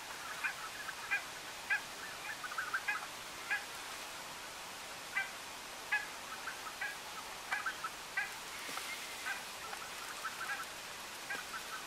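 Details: A European stonechat in Uitkerkse Polder, Belgium, in January gives short, hard ticking notes, like two pebbles knocked together, about one or two each second, over a steady background hiss.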